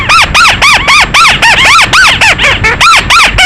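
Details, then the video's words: {'caption': 'Night lure recording of a bird: rapid strings of bright, arching whistles, each note swelling up and dropping back, about four notes per second, loud and continuous.'} "Tiêng chim măt xéo (chim chuôt )file đánh đêm."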